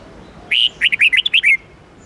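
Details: Training song of a red-whiskered bulbul in the 8-9-10 note twisting style: a single crisp phrase opening with a held whistle and breaking into a fast string of curling, bouncing notes.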